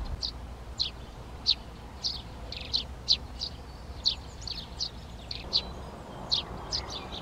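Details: Eurasian tree sparrows (Passer montanus) starting to occupy nest boxes in a garden in Přerov on 19 March 2020; short high chirps repeated about every half second, some doubled, over steady low background hum.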